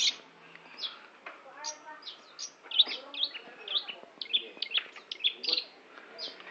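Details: Long-tailed shrike song with mixed harsh and whistled notes, a scratchy jumble at first, then a series of short sharp chirps, with soft low murmuring in the background.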